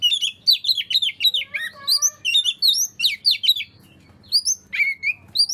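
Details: Oriental magpie-robin singing to coax silent magpie-robins into song: dense rapid whistles with a descending series of pure tones, a short pause, then high, clipped sweeping notes.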